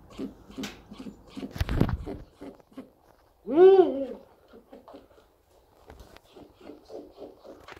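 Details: An Indian (rock/Bengal) eagle-owl named Amber gives a single loud, arched note lasting under a second, rising then falling, with people talking quietly before and after.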